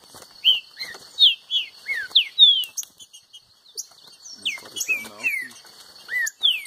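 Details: Caged Green-winged saltator singing against a free-living rival, giving repeated phrases of sweet slurred whistles, pausing, then resuming, over a constant insect drone and faint human murmurs.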